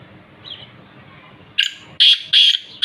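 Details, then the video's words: Black francolin recorded in Khushab: loud, harsh, grating notes come in three close bursts after a quiet start with one faint chirp. Low background rumble sits beneath. "kala teeter ki awaz"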